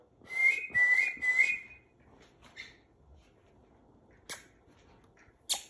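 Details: A rainbow lorikeet being trained whistles three quick rising-falling notes, then quiet room noise with scattered clicks and taps.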